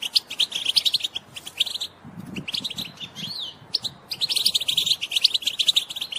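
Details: A female European goldfinch gives bright, tinkling twitters in rapid bursts, with a brief pause and a faint low rumble midway; the call is used to stimulate males to sing and mate.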